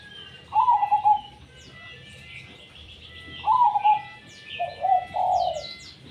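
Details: Perkutut, the zebra dove, singing in tumpang sari style: three mellow, bubbling coo phrases spaced a few seconds apart, each a short rolling trill, with busy high chirps from other birds throughout.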